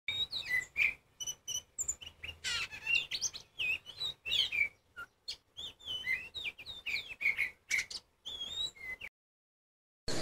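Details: Oriental magpie-robin of the kacer poci type sings a loud, varied song meant to make silent magpie-robins answer loudly. Quick whistled and chirped phrases rise and fall with short pauses, then the song breaks off near the end.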